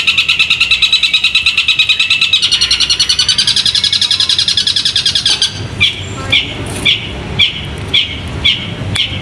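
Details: Caged competition songbird, trained for singing contests, delivering a fast, steady, high buzzy trill for about five seconds, then switching to sharp separate chirps spaced under a second apart.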